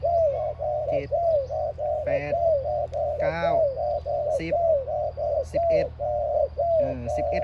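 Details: Spotted dove, a trained decoy bird being practised for a calling competition, gives a long run of soft, mid-pitched cooing notes, about two or three a second, with brief voices and sharper calls breaking in.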